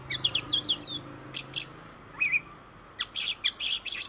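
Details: Oriental magpie-robin from Indonesia giving a quick run of descending chirps, a lone rising whistle, then dense bursts of very high buzzy notes, over a soft hum.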